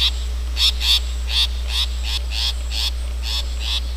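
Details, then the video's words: Long-tailed shrike in the wild, a run of grating, scratchy calls repeated at an even pace of about two to three a second, with a steady low hum underneath. "Burung PENTET / CENDET Liar asli ALAM"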